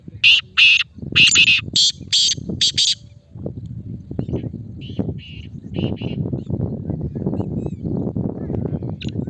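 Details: Male black francolin: a loud run of about six harsh, rasping notes at the start, then softer grating notes later amid a continuous low murmur.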